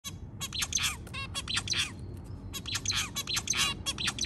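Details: White zebra finch early in the morning, a busy stream of short nasal chirps and rapid clicking notes packed closely together over a steady low rumble.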